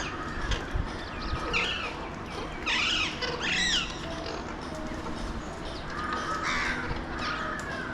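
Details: Wild Alexandrine parakeets, known locally as Pahadi parrots, in Mumbai, India, observed from a window: a few sharp, arching squawks in the middle of the stretch, fainter chatter later, and steady low city noise.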